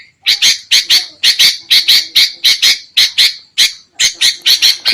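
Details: Noisy sooty-headed bulbul lure call used by trappers: quick, uneven runs of scratchy, buzzy squawks, roughly two per second, delivered in bursts with one short gap midway.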